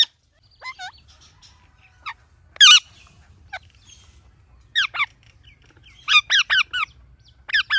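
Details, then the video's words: A ringneck parrot gives natural sharp, harsh chirps, scattered single notes then quick bursts of three to four, over a faint low hum. "Ringneck Parrot Natural Chirping Sounds"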